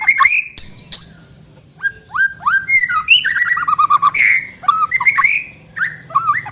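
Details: Continuous white-rumped shama song played to coax another bird into singing: varied whistled phrases, upslurred and downslurred notes, rapid chatter and a sudden harsh burst, with few pauses.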